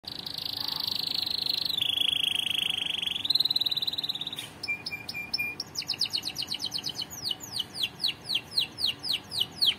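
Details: Canary song used for song training: a high steady whistled trill, a lower buzzy roll, then rapid clipped notes and a run of repeated downslurred whistles, all loud and clear.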